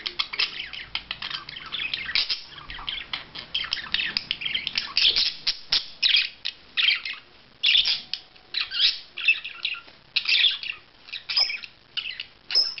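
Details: Budgerigar during courtship display, giving a dense, continuous chattering warble of scratchy chirps, clicks and short squawks, packed in quick bursts with brief pauses toward the end.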